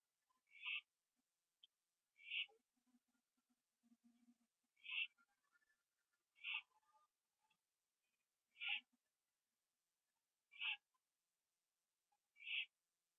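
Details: Owl at 11:15 PM on 21 September 2011, finishing a gopher on a porch and then flying to a tree beside another owl: seven hoarse, raspy screeches about two seconds apart, with faint soft clicks and low thumps between them.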